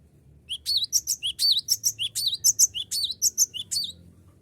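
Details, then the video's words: Cinereous tit singing hard to challenge rivals into responding, serving as a lure: an unbroken series of roughly seventeen crisp, high chirps over about three and a half seconds. "GLATIK BATU GACOR PANGGIL LAWAN AGAR IKUT BUNYI || PANCINGAN GLATIK BATU"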